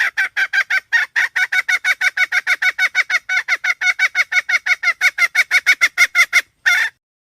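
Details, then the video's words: Hen calling in a long, rapid train of harsh, nasal clucks, about three a second, ending with one louder, broader squawk after a short gap. "suab poj qaib seev dib tuaj zoo heev"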